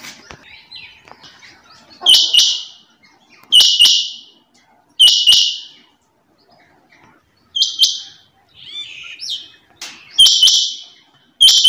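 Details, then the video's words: Female rain quail delivering sharp, buzzy paired notes at irregular intervals of one to three seconds. Faint chirps from other small birds sound between them. "چنگا بٹیر کی آواز"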